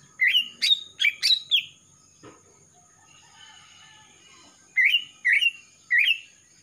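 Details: Young male greater green leafbird of Kalimantan, freshly past the spotted juvenile stage with a black front neck, in strong voice. Clear rising-then-falling whistled notes come in groups of three, separated by a quiet pause.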